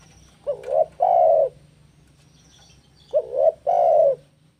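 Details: Spotted dove in breeding mood, calling to challenge a rival. Two phrases of low cooing about two and a half seconds apart, each a quick warbled note before a longer, even coo. A steady low hum sits beneath.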